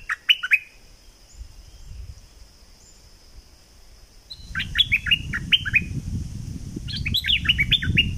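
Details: Bulbul from southern Thailand sings repeated double-style phrases, bright whistled notes in three bursts, the later ones over louder low rumbling noise.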